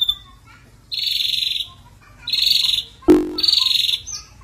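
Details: Lure recording of an Ashy drongo in full gacor song: three harsh, buzzy trilled phrases of high notes, with a sharp knock between the last two.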